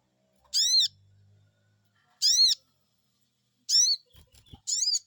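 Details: Sogon bird answering a lure call: loud, high arched squeaky 'cuiit' notes with stacked harmonics, three spaced about 1.5 seconds apart, then a fourth just after faint low knocking sounds.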